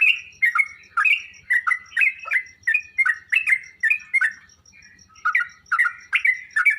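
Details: Sooty-headed bulbul singing, a recording played to caged birds so they answer: bubbly, descending chirped phrases in quick clusters, a brief lull near the middle, then renewed bright chattering notes.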